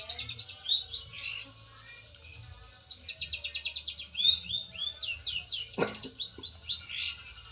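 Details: Prize-winning long-tailed shrike from district and national songbird contests: bursts of rapid high chattering notes mixed with slurred, swooping whistles, a pause, then renewed fast trills and one sharp click.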